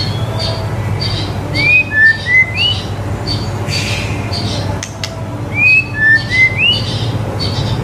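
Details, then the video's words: White-rumped shama song for tutoring young birds: a short phrase of three clear rising whistles, repeated twice a few seconds apart, amid soft chirps and a low constant hum. "MURAI BATU GACOR COCOK BUAT MASTERAN MURAI BATU MUDA AGAR CEPAT IKUT GACOR DAN MONCER"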